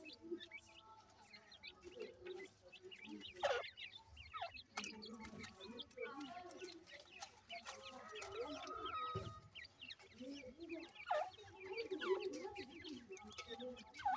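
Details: Constant overlapping cheeping from a group of grey francolin chicks, thin falling notes packed closely together, mixed with low soft clucks and scattered clicks and knocks.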